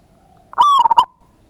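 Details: Single loud phrase of a local zebra dove's lure song, ngayer kerot nutut style: a rising coo sliding into a quick rolling series of three or four stuttered notes.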